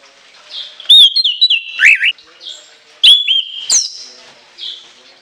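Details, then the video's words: Caged orange-headed thrush singing a shrill, long-filled song: loud whistled phrases with sharp upward sweeps and slurred drops around two bursts a couple of seconds apart, softer warbling between them. "TEMBAKAN LENGKINGAN ANIS KEMBANG ISIAN PANJANG SEGUDANG"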